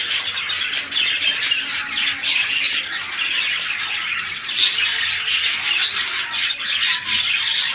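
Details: Red-eyed lutino budgerigars, a king-size male paired with an undersize red-eyed female for breeding, give dense, continuous squawky chatter. Harsh, buzzy notes overlap with scratchy warbling throughout.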